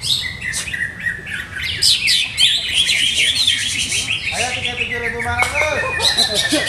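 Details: Caged greater green leafbird, owned by a songbird hobbyist still trying out its show conditioning routine. The bird gives rapid, varied chirps and twittering high notes in dense bursts. A lower, steady harmonic tone with wavering pitch joins in the last seconds.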